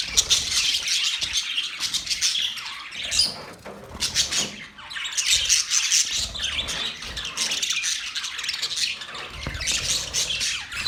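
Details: Several parrots keep up continuous chirping and warbling chatter, high and grating, swelling and fading in waves with a brief lull midway; faint low rumble underneath.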